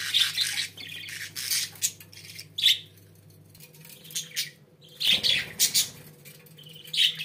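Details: Several pet budgerigars give sharp, high chirps and scratchy squeaks in irregular bursts, including a brief louder cluster near the end, over a low steady hum.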